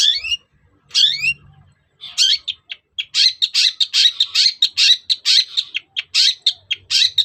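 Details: Long-tailed shrike lure song meant to rouse other shrikes into replying: a few harsh slurred notes, then a fast, steady run of scratchy chattering notes about four per second, loud and high.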